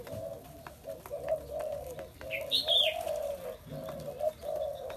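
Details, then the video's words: Spotted dove calling: low, soft, hollow coos in short repeated notes, with a brief sharp chirp from another bird in the middle. "Chim cu gáy"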